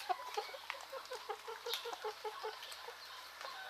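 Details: Chickens in rural Greece in the morning: a steady series of quick, regular clucks, about five a second for two seconds. Small birds twitter in the background.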